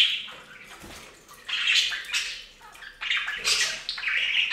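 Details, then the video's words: Budgerigars bathing in a fountain, their scratchy warbles and chirps mixed with steady splashing and running water. "Best Budgie Bath EVER! + Budgie sounds"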